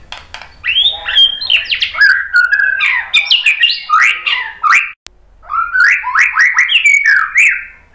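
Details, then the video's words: White-rumped shama giving a long, rich run of quick slurred whistles and chatters, broken by a short pause before the singing resumes. "KICAUAN MURAI BATU"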